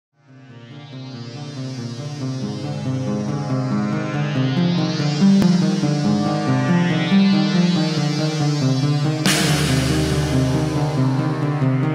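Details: Only electronic music plays, a steady throbbing synthesizer with rising sweeps and a deep bass drop near the end, with no animal voice.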